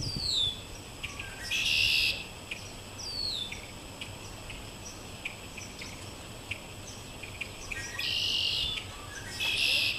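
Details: Red-winged blackbirds perched in a backyard maple, filmed with an iPad: scattered high descending whistles and sharp chips, with dense buzzy trills swelling twice and again near the end.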